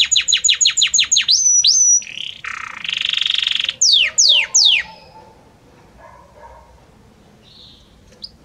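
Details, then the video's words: Belgian canary singing a varied, harmonious song that moves gradually from one note to the next: a fast run of high descending whistled notes, a rising slur, buzzy trills, then three steep downward sweeps before falling quiet. "Magnífico Como canta este Canário Belga!"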